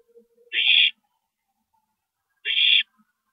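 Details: Nighttime owl nest, 2:40 AM, April 22, 2012, during a parent's stopover: two loud, hissing screeches about two seconds apart, with faint low murmuring before the first.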